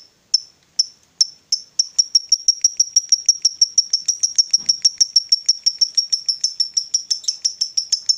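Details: Female fighter lovebird used to provoke rivals: a few spaced sharp high notes that speed up into a steady rapid chatter (ngekek) of clipped whistled pulses, about three a second, in an otherwise quiet setting.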